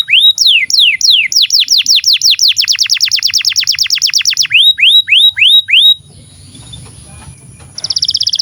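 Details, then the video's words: Training song for young canaries and those that have gone quiet: looping downslurred whistles speeding into a fast run of sweeping notes, then spaced rising whistles, a quiet gap, and a rapid high trill at the end. "SUARA BURUNG Kenari GACOR PANJANG INI Cocok untuk Masteran KENARI PAUD dan Kenari Macet BUNYI"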